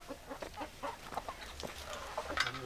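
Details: Chickens, hens clucking: a busy run of short, repeated clucks from several birds with one sharper, higher note near the end, over a low background hum.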